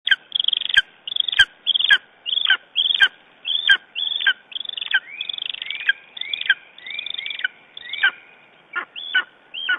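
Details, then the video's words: Lesser spotted eagle in Estonia, calling on a June morning, 9 June 2011: a run of sharp, high yelping notes, each dropping steeply at the end. There are about fifteen, some paired or slurred together, with short gaps between them. "Lesser Spotted Eagle Estonia - Talking in the morninig"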